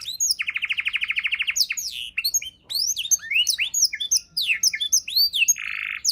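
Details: Tutor-style canary song with rich 'isian' fill-ins: opens with a loud, fast buzzy trill for over a second, then jumbled upward-sweeping whistles and chirps, ending with a short dense buzzy roll.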